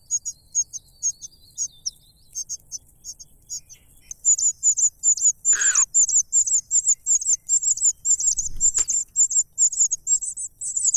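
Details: Greedy cuckoo being fed and still wanting more food: high, thin begging notes repeated rapidly, sparse at first, then a dense, steady stream of sharp chirps, with a brief lower buzzy call and a soft thump midway.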